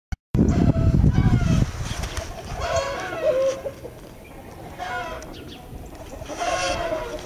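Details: Red Blue Wyandotte chickens from a 2020 breeding stock: a burst of loud low rumbling handling noise, then a series of short harmonic clucks and murmured calls, irregular and fairly quiet, with faint background hiss.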